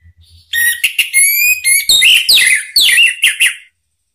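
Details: Orange-headed thrush song used to coax other birds into singing: a continuous three-second stream of clear whistles, some with tonal overtones, turning into rapid looping and swooping slurred notes.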